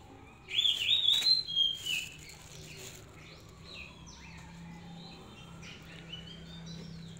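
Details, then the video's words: Brief loud phrase of bright, slurred whistles from a hand-raised captive Oriental magpie-robin, followed by several seconds of soft, distant-sounding notes over a low droning background. "Một năm nữa sẽ hứa hẹn có gần chục con chòe than hót tốt tự tay gột lên"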